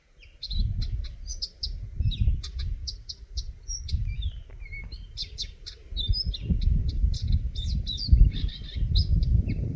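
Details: A Eurasian nuthatch (Sitta europaea) gives quick, high chirps, several per second, with short downslurred notes mixed in, over steady low wind rumble.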